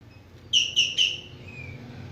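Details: Javan green magpie, Cissa thalassina, calling vigorously: three loud, harsh, evenly spaced notes in quick succession, then a thin fading tone, over a low background hum.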